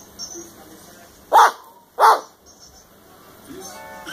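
An umbrella cockatoo gives two loud, hoarse bark-like notes about half a second apart, mimicking a dog, over faint background noise.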